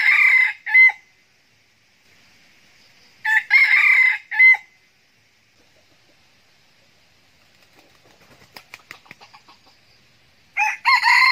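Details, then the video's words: Red junglefowl decoy rooster crowing to lure wild roosters: three short, harsh, broken crows, each about a second long in several bursts, spaced by long pauses, with faint rattling clicks between them. "giọng gà rừng mồi gáy, giọng gà trống gáy kích mồi, kích bổi"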